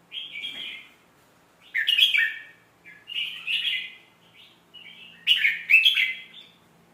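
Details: Tutor song of a red-whiskered bulbul for training young birds: four lively, gurgling whistled phrases spaced about 1.5 seconds apart. Each phrase is crisp and cheerful, with the last ones loudest and most complex.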